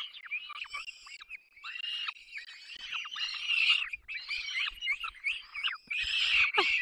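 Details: Young peregrine falcons cry at the nest while both adults bring food, Barycz Valley, 3 May 2024: rasping, harmonic wails repeated in quick uneven bursts, growing louder toward the end.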